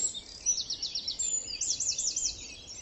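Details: Common chiffchaff on a dawn chorus walk in meadows and bluebell wood, Hanwell, West London, May 4 2019, sings its two-note song: high, thin notes alternating back and forth in quick repeated runs, over soft outdoor hiss.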